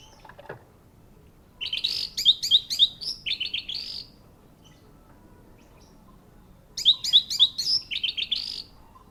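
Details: Singing orange-headed thrush kept as a caged bird, delivering two separate bursts of rapid, high, sharp notes about two seconds long each, with a quiet gap of roughly three seconds between them.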